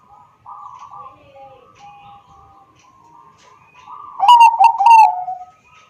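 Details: Phone recording of a Bangkok zebra dove in Wiradesa, Central Java, used to coax silent doves to sing; quiet murmuring gives way to two loud, trilled coos that slide slightly downward.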